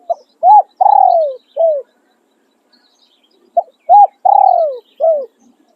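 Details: Captive decoy spotted dove singing khan riak and khan yon songs: two matching phrases about three seconds apart, each a soft short note, a higher hoot, a long, rolling coo sliding downward, and a short falling finish; background otherwise silent.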